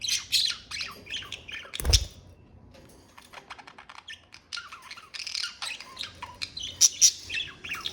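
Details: Budgerigars kept as pets give scratchy, squawking chatter in bursts, with a quieter stretch in the middle and a brief loud knock early on.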